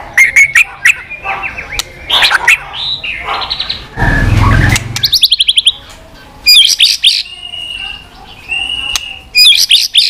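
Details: White-rumped shama giving continuous tchack clicks as stimulation for low-spirited shamas; sharp clicks and varied whistled phrases, a burst of low rumbling noise midway, then long clear whistled notes.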